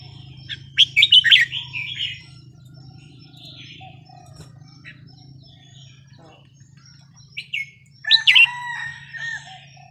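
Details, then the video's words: Small caged red-whiskered bulbul from Vietnam, over ten years old, gives two bursts of chirpy, rolling warbled notes near the start and end, separated by a quiet gap, over a steady low electrical hum. "นกกรงหัวจุกเวียดนาม นับดอกตัวเล็ก"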